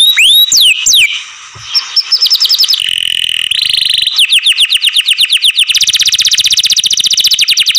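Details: A kept canary opens with a few swooping whistles, then shifts through a harsh buzzy tour into long, rapid, rattling trills of repeated short notes.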